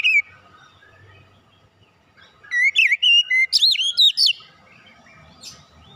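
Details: Oriental magpie-robin lure song: after a quiet stretch, a burst of loud, varied whistled phrases with sharp rising and falling sweeps lasting about two seconds, then a faint note and silence.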